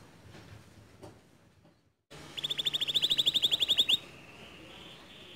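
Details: Canary voice meant to prod a silent canary into singing: a quiet, noisy opening, then a bright, evenly pulsed trill of about fifteen notes that fades into a softer buzz.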